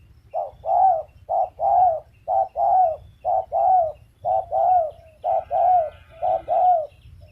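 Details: Spotted dove cooing steadily: mid-pitched three-part phrases, a short note then two longer, slightly falling coos, repeated about every second through the stretch against a low background rumble.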